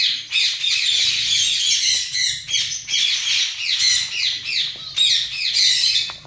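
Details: Zebra finches in a colony keep up a steady stream of quick, nasal, down-slurred calls, several per second for over six seconds, with many birds overlapping.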